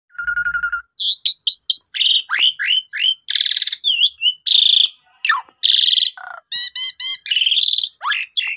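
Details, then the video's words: Asian pied starling song, a lure meant to prompt a newly bought bird to sing: loud, varied, continuous medley of whistled slurs, harsh buzzy bursts, rising and falling notes and rapid rattles, packed densely with hardly any pause. "Pancingan 2 Menit jitu !! Jalak Suren Baru Beli Macet Langsung Nyaut Gacor Boangkar Full Isian"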